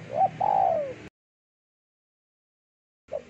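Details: Deep-voiced spotted dove used as a lure sound, cooing a short note then a drawn-out coo that slides downward, after which comes a pause and the next phrase begins.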